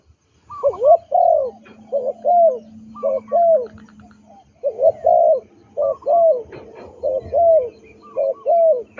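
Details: Captive trained spotted dove used for ground decoying, cooing steadily in mellow, slightly bubbling notes roughly once a second, with one short pause midway and a faint steady hum beneath.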